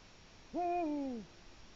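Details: Eurasian eagle-owl at its nest, 1 October 2017 at 19:02, digging the nest bowl; an autumn territorial call: a single deep, resonant hoot held about two-thirds of a second, sliding downward at the end, over quiet hiss.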